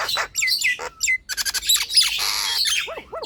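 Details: ['Nias hill myna in full song, played to prompt lazy, slow birds to sing: a mix of harsh squawks, buzzy broadband bursts, clear whistled notes and chattering, with a short rapid rattling series midway.']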